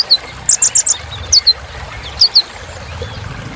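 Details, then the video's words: Kolibri ninja sunbird, a filler song to spur birds on: sparse high notes, a quick trio of sharp chips followed by paired descending tsip notes, quiet gaps between. "Suara Kolibri Ninja Isian Mewah Bikin Burung Semangat"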